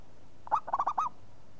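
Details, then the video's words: One phrase from a vocal local zebra dove: five quick mellow cooing notes, the last slightly longer and falling. "SEKALI TUT LANGSUNG NYAUT PERKUTUT LOKAL GACOR"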